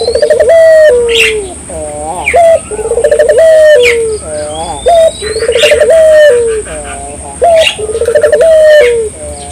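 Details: Energetic Barbary dove song used to stir local doves to sing: about four phrases repeated roughly every two and a half seconds, each a rapid pulsing coo rising into a long descending note, followed by a sharp short note. Faint chirps and a constant high whine are also heard.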